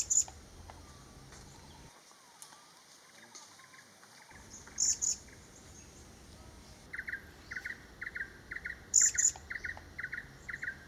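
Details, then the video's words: Vernal hanging parrot at Ban Krang camp, Khao Yai National Park, Thailand, in breeding season with the female incubating and the male bringing food: brief, very high, thin squeaky double notes every few seconds, likened to "sii-sip", with another bird's quick lower chirps behind. "นกหกเล็กปากแดงและเสียงร้อง Vernal Hanging parrot Sound"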